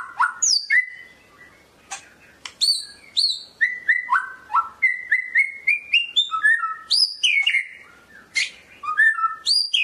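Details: White-rumped shama, Medan type, delivering a rich varied song of quick whistled notes and slurs that jump between low and high pitches, many phrases packed densely over ten seconds, in a quiet setting.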